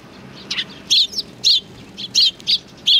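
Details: Bright, piercing chirps from sparrows welcoming a visitor at a Tenmangu shrine on 3 July 2020, repeated about every half second in a steady run.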